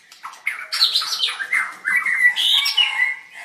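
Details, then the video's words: White-rumped shama in a bird singing contest, dancing and singing; dense burst of varied chattering whistles and squawky slurred notes, overlapping and fast, with little pause across the few seconds. "Birds White-rumped shama dancing and singing like crazy till chirped sorethroat"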